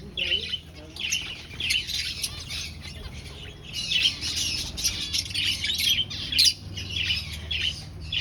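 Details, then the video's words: Finches in a breeding aviary colony keep up a lively, overlapping chatter of rapid high chirps and squeaks, nearly two notes a second, over a soft low hum. "Finch Sounds"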